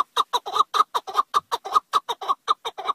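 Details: Chukar partridge giving a fast run of harsh, clucking chuk notes, about five per second, each note with a strong throaty center and a steady rhythm throughout.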